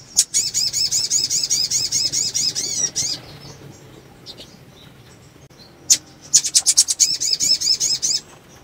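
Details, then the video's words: Breeding-condition female sunbird calls to excite males. She gives a fast, even series of high, thin arched notes for nearly three seconds, then sparse soft chips, then a second rapid series. "PANGGILAN SOGON BETINA BIRAHI MERANGSANG SOGON JANTAN CEPAT BUNYI"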